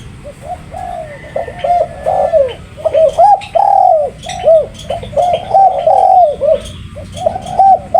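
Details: Spotted dove with a continuous series of mellow, arched coos, rising and falling in loudness. Faint high chirps and ticks from other birds sound behind.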